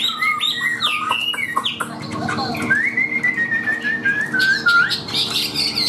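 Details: Chinese hwamei, a hand-tamed cage bird, singing a sequence of clear flute-like whistles that step down in pitch, then a long gently rising whistled note and a couple of sharp bright accents.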